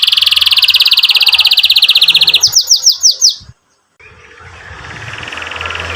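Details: Singing canary, used as a training and therapy recording for young or silent canaries: a long bright rolling trill, then five loud sweeping downslurs, a short pause, and a faint roll to the end.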